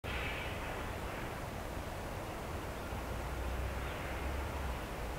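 Constant broadband hiss with a low rumble like distant traffic or aircraft runs throughout, and no animal sound is heard.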